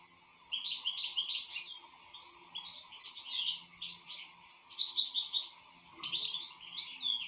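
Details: European goldfinch song in four bursts of bright, tinkling, rapid twittering, high and busy, separated by short pauses; a faint steady hum runs underneath.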